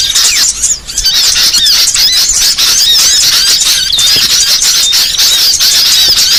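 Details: Trapping lure of small birds: shrill chirps, squeaks and little rising whistles tumble over one another in a steady high chatter, briefly quieter near the start.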